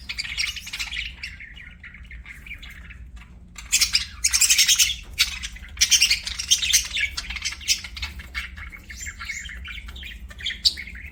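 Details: Budgerigar chirping: continuous warbling chatter with loud harsh bursts of scratchy squawks in the middle, trailing off into softer twittering.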